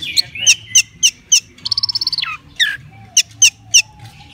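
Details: Caged orange-headed thrush readied for competition, uttering sharp downward-slurred notes repeated about every third of a second, broken by a fast rattling trill of even notes; low murmur behind.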